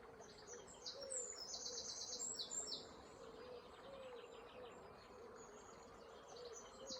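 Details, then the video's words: Wild birds singing at dawn, 5-6 am on 29 May, beside a river in Ward River Valley Regional Park, Swords, Dublin, Ireland, filmed on an iPhone SE: rapid high twittering trills repeated in bursts over steady flowing water. "Water & Birds Chirping Sounds"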